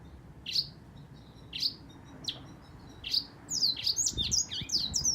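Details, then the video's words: Black-throated canary singing: high, sweet chirps at first spaced about a second apart, then quickening into a rapid twittering run, over a faint low background rumble. "黑喉燕 Black throated canary singing"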